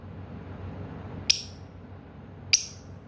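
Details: Lovebird chirping: two sharp, bright, very high chirps about 1.2 seconds apart, each a brief clipped burst over a low steady background hum.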